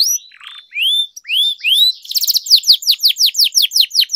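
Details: Singing canary, played as a lure for birds that have stopped singing: drawn-out rising whistles, then a dense fast trill of sharp descending notes that keeps a steady beat to the end.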